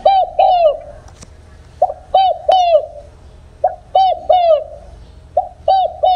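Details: Spotted dove from open fields with its 'không hậu' coo lacking the end note, used to call in wild doves for trapping. Four phrases of three low, rounded coos follow at even intervals, with a sharp click between the first two.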